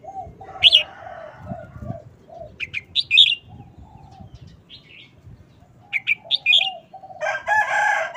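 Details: Caged red-whiskered bulbul, short quick wild-song style: scattered bright whistled notes and warbled phrases between pauses, over background cooing and a burst of harsh, noisy chatter near the end.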